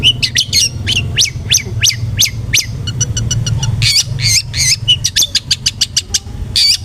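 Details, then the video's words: Long-tailed shrike song used as a lure to make shrikes sing aggressively: quickly repeated harsh, down-slurred notes and rapid ticking series, with a steady low rumble behind them. "PANCINGAN BURUNG CENDET GACOR jitu buat Pancingan Cendet Agar Bunyi EMOSI"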